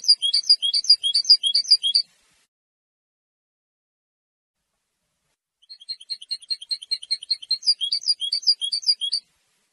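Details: European goldfinch song, used to claim territory and draw females. Two bursts of fast, tinkling twitter about 150 notes a minute are separated by several seconds of silence. The second burst starts soft and grows louder. Nothing else is heard.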